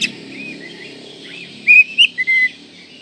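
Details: Kacer, the Oriental magpie-robin, in a masteran recording: after faint twitters come four sharp whistled notes in quick succession, the last a sustained level whistle, with a steady low hum behind.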